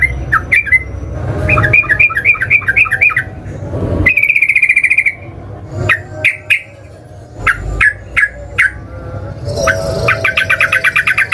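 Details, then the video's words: Yellow-vented bulbul song played as a lure to set off singing: bursts of rapid rolling notes near two kilohertz, sharp repeated chirps and a long buzzy trill, with low rumbling background noise throughout. "pancingan burung trucukan"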